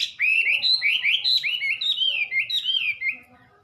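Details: Wambi singing a fluid sequence of rising, looping whistles, continuous and bright, fading at the end.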